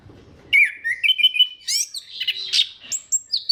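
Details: Brisk, varied phrase from an orange-headed thrush singing to provoke rivals into song: a steady whistled note, then rapid chirps, buzzy twitters and upward-flicking high notes packed closely together.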